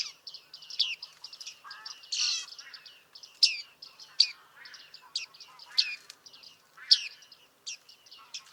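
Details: Bearded reedlings recorded in July 2023 at Liepāja, Latvia, giving a dense chatter of short pinging and metallic twanging calls, many birds overlapping, with a louder burst near two seconds.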